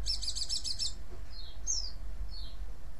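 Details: Chattering white-eye meant to provoke other white-eyes into answering: a fast, buzzy, pulsing rattle for about a second, then three short, high, downward-slurred whistles, with low hum underneath.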